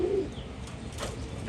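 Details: Domestic pigeons at a home loft give low, soft, rolling coos against a faint rustling background, while a newly arrived pigeon wanders nearby.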